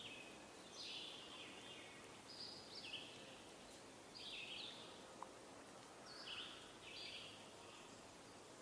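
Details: A Scarlet Tanager sings hoarse, burry phrases in short bursts every second or two over steady hiss, recorded on 21 May 2022 in woodland where a wood thrush and other birds also sing.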